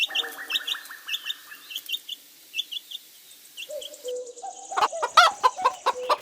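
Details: Chicks peeping: rapid, high, downslurred cheeps, often several per second, fill the first four seconds. A different, louder and harsher sound takes over near the end.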